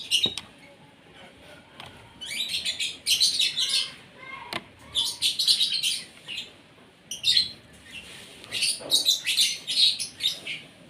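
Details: Asian pied starling during its morning feeding, given breakfast so it will sing freely. Loud, harsh, chattering bursts of scratchy high notes in clusters, with short quiet gaps between phrases and a few sharp clicks.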